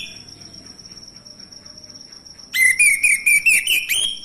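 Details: Male orange-headed thrush singing as a lure to make silent thrushes start: after a quiet start with a steady high tone, a fast run of loud, ringing whistled notes about two per second.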